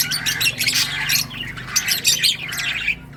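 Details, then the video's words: Lovebirds of various colour mutations singing and chirping together: a dense, continuous chatter of shrill squawks and rapid high chirps with no pauses, and a low steady hum underneath. "Lovebirds singing & chirping sounds"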